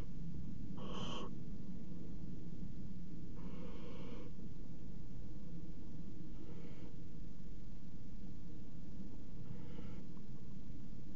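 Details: Barn owls at a water-tower nest box on 5 February 2018, a pair mating on the box rim: four rasping, breathy hisses spaced roughly every three seconds, the later ones fainter, with constant low-frequency background hum.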